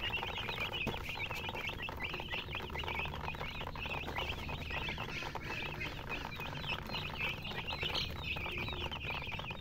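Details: Chicks chirping in a flock, clear rising-and-falling high peeps repeated rapidly by many birds at once, over soft scratching and a low humming tone.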